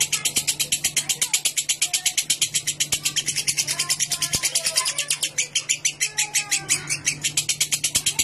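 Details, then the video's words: Lovebird ngekek used as a lure, rapid high-pitched chattering pulses running continuously with scattered softer chirps and a low steady hum behind. "Burung Lovebird Ngekek Jernih Pancingan Buat Lovebird Ngekek Panjang"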